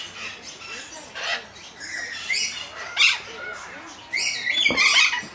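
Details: Group of Patagonian conures, including two preening pairs, in an aviary at the Botanical Gardens, Funchal, Madeira: scattered harsh, noisy squawks and chattering bursts, louder toward the end.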